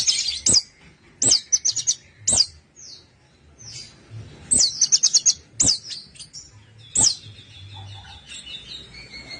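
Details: Lure song of an orange-headed thrush meant to prompt idle birds to sing: separated bursts of sharp, very high chirps and fast stuttering trills every second or so, with a faint steady whistle late on.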